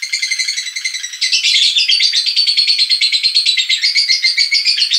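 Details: Lovebird giving the ngekek call used as a lure for other lovebirds: rapid, dense, buzzy chattering repeated about twice a second, steady and unbroken with bright layered tones, no other sounds.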